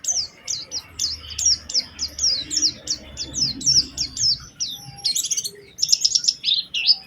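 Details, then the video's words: Oriental white-eye lure song with special phrasing: evenly spaced high, thin down-slurred whistles about two per second, ending in a dense bright twittering flourish over a faint low hum. "Pancingan Burung Pleci Gacor Cengkok Istimewa"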